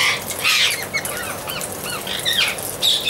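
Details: Amazon parrot producing loud, grating squawks mixed with shorter, curving chattering notes, uneven in rhythm, over a constant background hiss.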